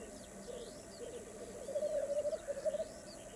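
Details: Black grouse at a lek in Västra Götaland, Sweden, in May 2015 give a low, dove-like bubbling that runs on without pause and grows louder halfway through, with faint higher bird calls above it.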